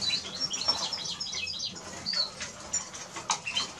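A Eurasian siskin sings a fast, high twittering of thin chirps and brief wheezy notes, tumbling on without pause over a faint background hiss.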